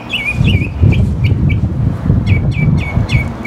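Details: Mockingbird in song, repeating sharp downslurred chirps in pairs and small groups, clear above loud low-pitched rumbling background noise.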